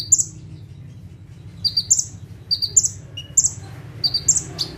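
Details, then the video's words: Ciblek, or bar-winged prinia, singing energetically from one spot in 'tembakan' style: after a pause, crisp high doubled chips come in clustered bursts, with one lower short note and a low constant hum behind. "KONIN GACOR FULL TEMBAKAN - CIBLEK / PRENJAK TEBU"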